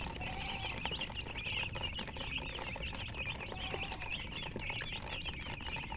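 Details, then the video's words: Chirping chicks alongside a hen: a continuous stream of overlapping high, rapid peeps, busy and unbroken throughout, with soft patter beneath. "silly chicken chirping sounds with murgi hen color chicken"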